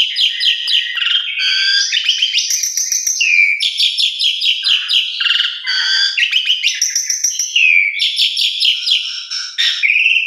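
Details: Asian pied starling (jalak suren) lure song for stimulating silent or stressed starlings: continuous loud rush of whistled, chattering and buzzy phrases, rapid trills between sliding clear notes, barely pausing over ten seconds.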